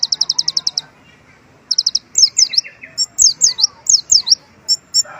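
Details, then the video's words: A sunbird opens with a fast high trill, adds a shorter trill, then strings together sharp falling whistles and clipped chips in its song of imitated white-eye phrases. "konin gacor isian pleci, suara asli pun hilang || kolibri ninja gacor isian mewah"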